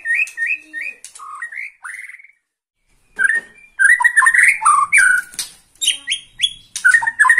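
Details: Excited Bornean white-rumped shama in a cage, facing a rival: three repeated whistled notes, slurred phrases, a short silence, then rapid varied whistles and sharp chips.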